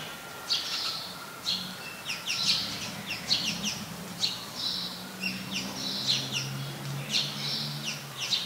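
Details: House sparrows (Passer domesticus) in Ubon Ratchathani, Thailand, on 17 January 2020. They give short, bright, slightly harsh chirps repeated in quick bursts, over a steady low hum.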